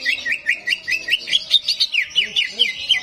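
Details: Greater green leafbird in a simulated bird-singing competition arena, a recording meant to excite leafbirds reluctant to sing: fast, sharp chirping notes repeated about five times a second, with soft lower sounds underneath.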